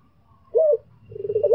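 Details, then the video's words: A Barbary dove (white 'puter pelung') calling to a rival gives a low, hollow coo, then a quick run of throaty, rolling notes at the same soft pitch. "SUARA BURUNG PUTER PELUNG MEMANGGIL LAWAN"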